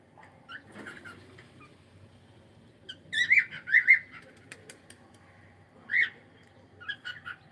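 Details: Pet cockatiel making clustered whistled chirps in short bursts, with rustling and a few sharp clicks between calls.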